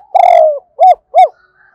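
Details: Decoy spotted dove calling wild doves with a double-voiced, two-ending coo. One long, rough, slightly falling coo is followed by two short, rounded coos in quick succession.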